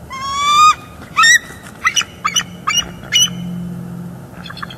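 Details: Wild bald eagles at a northeast Florida nest on 18 December 2022, captured by live nest cam while an adult female chases off juveniles: a long harsh ringing call, then short shrill squealing notes in uneven bursts.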